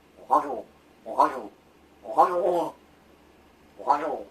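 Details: Rescued large-billed crow kept indoors, practising its voice while its keeper pretends to sleep: four hoarse, harmonic caws, each under half a second, spaced roughly a second apart in a quiet room.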